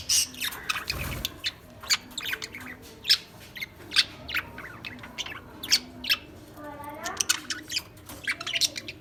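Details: Lovebirds chirping in a steady series of sharp, high squeaks roughly every half second, with a brief warbled rising tone and a low thump near the start.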